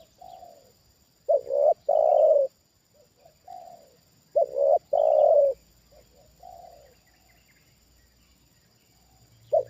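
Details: Tame decoy spotted dove reacting as a wild dove comes down for the second time, cooing in a low hollow phrase of soft notes ending in a loud drawn-out coo, repeated about every three seconds.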